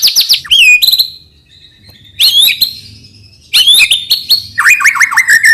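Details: White-rumped shama song, played to coax young birds to sing: short loud bursts of high whistles and rapid trills separated by quiet gaps, ending in a series of falling notes.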